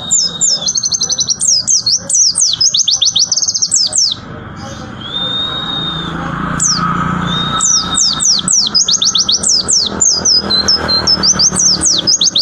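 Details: Tembakan song of a white-eye (pleci): rapid strings of high, steeply slurred whistles in two long bursts, separated by a pause with a few drawn-out flat whistles, with murmuring voices and background noise.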